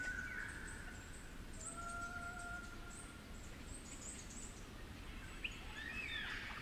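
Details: Superb Lyrebird of the 'flute lyrebird' population, Werrikimbe Wilderness, New England Tablelands, New South Wales, cool damp forest: long pure sustained whistles, one mid and one lower in pitch, then brief higher chirps from other birds over a steady low rumble.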